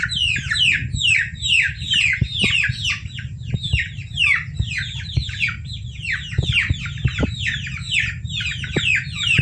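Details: Peeping chicken chicks used to lure civets into traps; rapid falling peeps from several chicks, overlapping steadily, with clicks and a low hum beneath.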